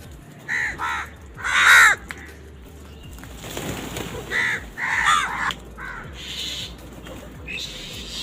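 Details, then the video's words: Several angry crows squabbling over food: a run of harsh, hoarse caws in short bursts, some doubled, the loudest early on, with a burst of broadband noise in the middle. "Sound of Angry Crows"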